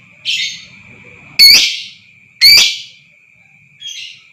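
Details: Shrill lovebird calls meant to excite other birds into extended trilling: a buzzy note, two loud sharp squeaky chirps a second apart, then a quieter raspy call, over a continuous high tone.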